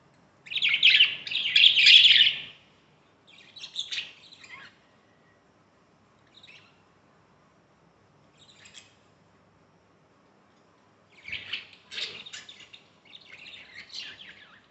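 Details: A budgerigar at a breeding cage, where chicks began hatching from the eggs after 18 days, chirps in bursts of high, scratchy chattering notes separated by short silences.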